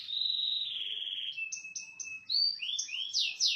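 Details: Canary performing its cililin song variation: a long, slightly falling whistled tone, a few clipped high notes, then quick rising and falling swept whistles in succession.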